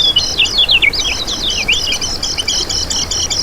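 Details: Lemon-bellied white-eye singing as a lure and master for other birds: a quick run of high, twittering, slurred notes, then a long, even, rapidly repeated chattering trill.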